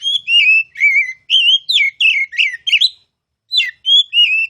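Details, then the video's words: Kacer, the oriental magpie-robin, in a ngeplong masteran song: bright whistled phrases that wobble and slur, delivered in quick succession. A short silence is followed by three more clear whistles. "KICAU MASTERAN KACER CALON JUARA!!!"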